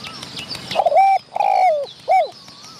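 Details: Wild spotted dove answering a decoy during trapping, aggressive, chasing other wild birds near the recording spot and showing off its voice: three mellow hooting coos, two level notes then a shorter one sliding downward, with faint high twittering behind.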